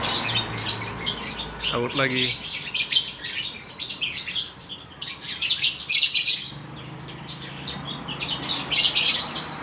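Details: Lovebirds at a bird market in Aceh Tamiang, Indonesia, answering each other with bursts of shrill, piercing chirps and twittering squeaks in irregular groups; a brief human voice and low market hum sound beneath.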